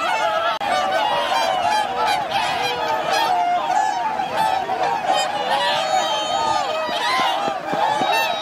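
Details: Large winter flock of swans on Lake Hyoko, Niigata Prefecture, Japan, 8 January 2022; constant chorus of nasal trumpeting honks from many birds, overlapping calls with some clearer rising and falling notes standing out near the end.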